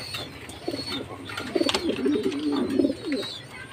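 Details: Jacobin pigeon uttering one drawn-out, low, warbling coo that swells and fades over about two seconds, with faint high bird chirps behind it.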